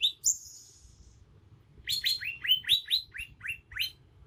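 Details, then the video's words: Bornean green magpie in the wild, a young bird still showing its natural song: a thin high whistle drawn out briefly, then a rapid series of short downslurred chirps repeated about five times a second, clean background. "Suara asli alam cucak ijo kalimantan"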